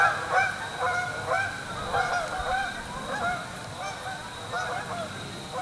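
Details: Flock of Canada geese landing on Springfield Lake in Churchville Park, PA, late October 2015, gathering at evening to sleep; repeated two-note honks, several birds calling together in quick rhythmic bursts, fading slightly toward the end.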